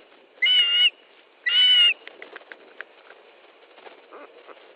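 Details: Osprey at the nest in Estonia, 13 July 2013, 17:58, as fish is delivered: two drawn-out, high whistled calls in quick succession, then faint scattered ticks and clicks.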